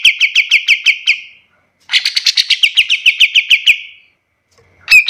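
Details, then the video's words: Kapas tembak singing, recorded as a tutor for other birds: a quick series of clear repeated chirps, a pause, then a longer run of about fifteen ringing notes, and a sharp note at the end. "Suara kapas tembak paling bagus untuk masteran burung lain"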